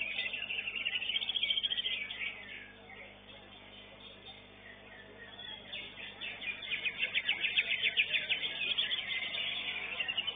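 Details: A contest-winning greater green leafbird in a competition arena sings rapid, repeated high trilling notes in two bursts, the second long and sustained, set against steady crowd noise and voices.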